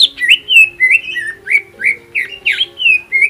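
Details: Greater green leafbird song used to provoke other birds into singing: loud, ringing whistled phrases that swoop and slur, repeated about three times a second, over a faint steady low hum.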